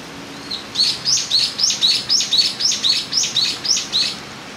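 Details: Eurasian tree sparrows, with a young sparrow, recorded 6 July 2018: a quick series of about ten bright, high chirps, each short and slightly falling, repeated roughly three times a second over faint background hiss.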